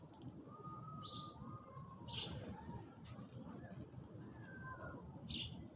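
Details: Early-morning sparrows at their food: three separate clipped chirps, roughly a second apart at first and then after a longer pause, set against a droning low background and faint thin tones.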